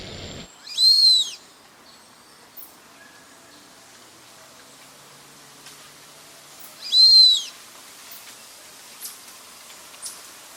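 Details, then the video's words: Brazilian teal, the red-footed form, calling with two loud, high, arched whistled notes several seconds apart, each with a rising then falling contour, over a quiet background. "Canto🎵da Marreca Ananaí (pé vermelho)"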